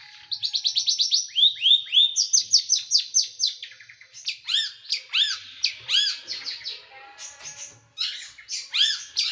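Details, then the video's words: Small bird singing sharp, dense bursts kept for tutoring pet birds. Fast chains of downward-curving notes repeat in rapid runs, then louder arched whistles and scattered chips follow. "Masteran burung kecil nembak"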